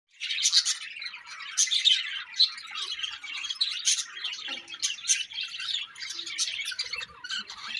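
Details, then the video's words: Happy colony of budgerigars chirping together: dense, overlapping high twittering and scratchy warbles, with sharper squeaky peaks near two and four seconds, continuing without pause. "Budgie birds Happy Colony Chirping"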